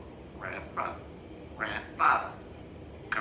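An African grey parrot chatters in five short, harsh, voice-like bursts over about three seconds, with a faint background hiss.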